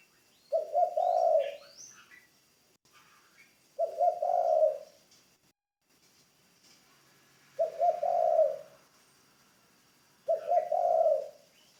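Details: Spotted dove, a ground decoy bird in training. It gives four low, mellow cooing phrases about every three seconds, each a throaty rolling coo. Faint high chirps from other birds sound between the phrases.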